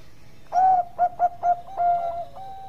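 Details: Perkutut, the zebra dove, Bangkok type, singing keenly: a longer opening coo, three short clipped notes, then a drawn-out coo and a softer tail note.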